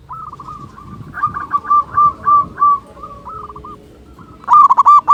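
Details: Big-voiced local zebra dove singing a softer, uneven run of repeated cooing notes that swells in the middle, then fades, before a loud, rapid cluster of ringing coos at the end over low background rumble.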